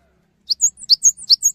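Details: Cinereous tit singing to stimulate other tits to sing: a quick run of high, sharp chirps alternating between two pitches, about eight notes in under a second, clean and unaccompanied.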